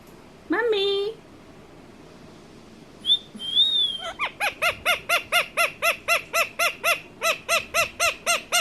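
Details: Indian ringneck parakeet, a pet talking parrot, opening with a drawn-out tonal note and a thin whistle, then a steady run of about eighteen clear arched call notes, four per second.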